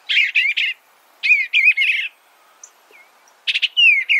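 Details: Three short, quick phrases of burry, warbled notes from an Eastern bluebird, each lasting about half a second, with quiet pauses between them.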